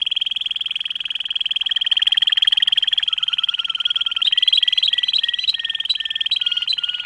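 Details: Waterslager canary delivering a sustained fast rolling trill, steady and bubbling throughout, with a lower gurgling passage midway and then clear whistled double notes layered over the roll.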